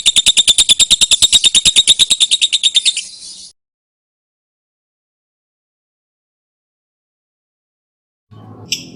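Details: Lovebird ngekek, a long chatter used as a lure and master recording for training songbirds: a fast, even train of sharp, high-pitched notes lasting about three seconds, then silence, with a short burst of noise at the end.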